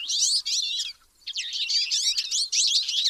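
Twite giving rapid, high, twittering notes in two busy bursts separated by a brief pause, with slightly buzzy, rising and falling phrases and no other sounds.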